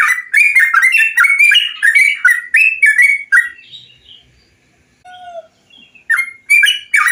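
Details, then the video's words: Bulbul song on a lure recording for making kept birds sing: a rapid rolling series of liquid warbled notes, a lull with soft whistles, then more loud phrases. "MASTERAN dan PANCINGAN untuk SEMUA jenis burung TRUCUKAN biar gacor"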